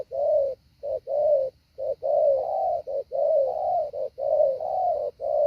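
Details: Spotted dove decoy bird in training to lure wild doves down, cooing in a methodical pattern: low hollow coos, short notes and longer drawn notes run closely together, roughly one per second, over a faint steady high hum.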